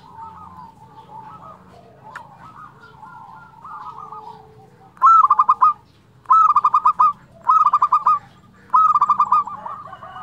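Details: Local zebra dove with a flute-like 'nyuling' style sings loudly: four clear phrases of a high opening note and rapid trilled, stuttering coos, spaced about every 1.2 seconds, after softer distant cooing from other doves.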